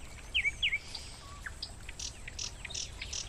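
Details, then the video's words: Nightingale singing in a forest by a gurgling stream: two sharp downslurred whistles, then varied short notes and rapid high buzzy bursts, over soft rushing water. "Nightingale Screamer"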